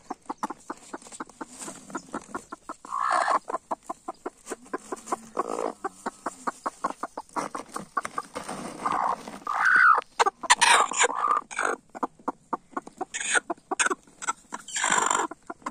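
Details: Broody hen fighting to keep her eggs, rapid series of short clucks repeated many times a second, with louder harsh squawks around the middle and near the end.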